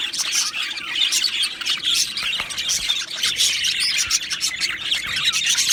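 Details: Busy warbling from two male budgies of Australia, scratchy high chirps run together with squeaks and clicks, the chatter strengthening toward the end.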